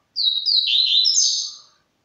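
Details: A canela-branca songbird just beginning to sing gives a single high, sweet warbled phrase under two seconds long, a few quick slurred notes run together; nothing else is heard.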